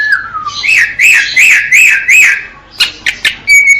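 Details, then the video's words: Greater green leafbird song: a falling whistle, then four or five looping whistled notes that rise and fall, followed by sharp clicks and a thin high whistle. "Cucak ijo biar ga kondangan mulu master pakai ini bos"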